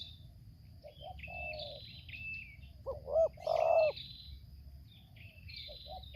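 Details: During luring of a wild spotted dove in Lampung, soft distant coos give way to one loud phrase of two hooked coos and a long steady coo, with another bird's higher chirping whistles around it.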